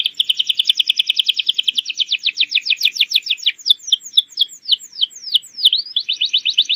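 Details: Domestic canary in full song, played as a lure for young birds learning to sing: a long run of rapid repeated notes that slows into sweeping downward whistles, then another quick trill.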